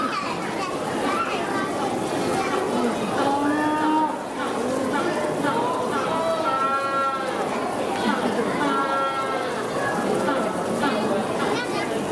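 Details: Magellanic penguin braying in drawn-out, nasal, harmonic calls that rise and fall, several bouts over a steady background hiss and din.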